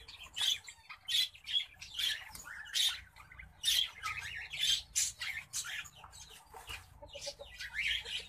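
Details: An orange-breasted zebra finch pair gives harsh, nasal honking calls, repeated roughly once a second.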